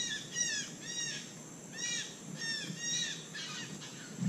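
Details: White-throated magpie-jay in Costa Rica, eating palm fruit; a series of short, repeated harmonic notes with arched, squawky shapes, given in quick bursts through the clip over a steady background hiss.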